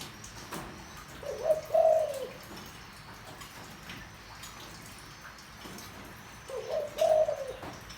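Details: Deep-voiced spotted dove meant to excite a decoy bird: two quiet coo phrases about five seconds apart. Each is a short note followed by a longer low hollow coo, with faint clicks between them.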